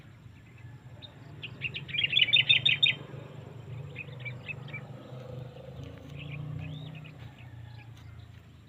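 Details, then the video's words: Birds singing outdoors: a bright burst of rapid repeated chirps around two seconds, followed by scattered short twitters and a few rising whistled notes, over a low steady rumble. "enjoying the natural sounds of birds shirping they're singing"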